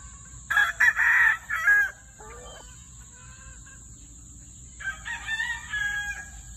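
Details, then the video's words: Barred Plymouth Rock hen giving loud, harsh, raspy calls in two bursts, one early and one near the end, with a short squawk between them over a steady high hiss. "Barred rock hen"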